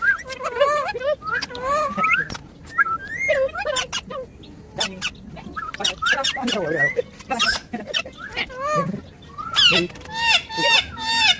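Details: Talking parrot producing a rapid mix of warbled, speech-like phrases, nasal squawks and wavering whistles in bursts, some rising and falling sharply, with loud harsh calls near the end.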